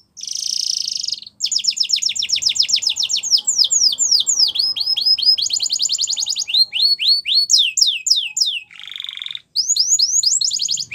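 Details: Canary song meant to get a silent canary singing again: a buzzy opening burst, then long fast trills of repeated falling notes, slower downward whistled sweeps, a short harsh buzz and more rapid rolls.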